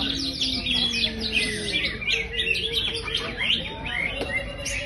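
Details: High-spirited greater green leafbird, a champion in the Indonesian bird-song hobby, pouring out quick, uneven bursts of chirping notes, roughly two to three a second, over drawn-out low whistled tones.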